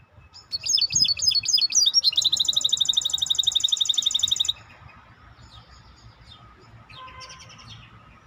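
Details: Maestro bird in full song: varied twittering phrases lead into a long, loud, very regular high trill of rapid repeated notes lasting about two seconds, then stopping abruptly into quiet with faint distant chirps.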